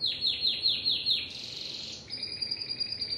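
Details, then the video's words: Timbrado canary song: a series of quick descending high notes, then a dense rolling trill, then steady level trilled tours, clear and loud. "تغريد كناري التمبرادو"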